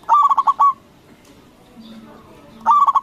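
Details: Big-voiced local zebra dove singing to provoke other doves to respond. A phrase of five rapid, rolling coos opens the recording, and after a quiet gap of about two seconds a second phrase starts.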